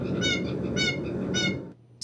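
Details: A Blue Jay gives three nasal, ringing notes about half a second apart, all at the same frequency, over a low rumble. It is played for comparison with a possible Ivory-billed Woodpecker call, whose fourth note is lower.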